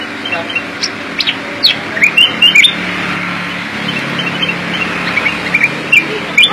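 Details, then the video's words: Black-crested bulbul (kutilang emas) in lively full song: sharp, bright chirps and short whistled phrases, some rising, scattered irregularly over steady vehicle and traffic rumble in an urban outdoor setting. "Kutilang emas gacor isian"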